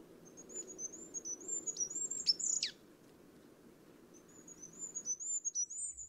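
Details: Wild goldcrest singing: very high, thin notes in short rising-and-falling phrases, repeated quickly, with one loud sharp downward-sweeping note in the middle and a quiet pause before the thin phrases return.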